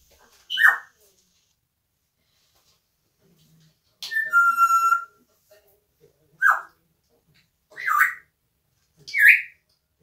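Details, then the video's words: Pet parrot calling indoors: five short, harsh, squawk-like bursts spread over ten seconds, with a longer, steady whistled note near the middle. No other sounds. "the parrot saying "it,s cold"and singing torotino"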